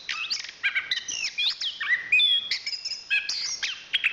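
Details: Chestnut-capped thrush (Zoothera interpres), a national champion singer, pours out a crowded mix of whistles, up-and-down slurred notes and harsh chattering elements in a quick, nonstop phrase.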